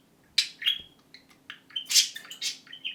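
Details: A pet budgerigar mimics a camera shutter with a quick run of sharp, high clicks and scratchy chirps, about eight bursts in three seconds.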